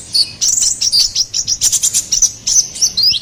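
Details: Konin kolibri ninja, the ruby-cheeked sunbird, singing in full gacor form: sharp, high-pitched tweets repeated quickly, about four to five per second, with a few rising whistled slurs near the end.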